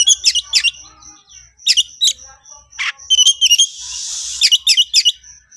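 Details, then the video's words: Agitated Oriental magpie-robin in konslet style, calling out a rival to fight. It gives quick clusters of bright whistles and chattering notes, a rasping burst midway, then a hissy smeared stretch before more whistled phrases. "siulan dan kicauan Kacer Konslet emosi tinggi panggil lawan auto ngeplay tarung"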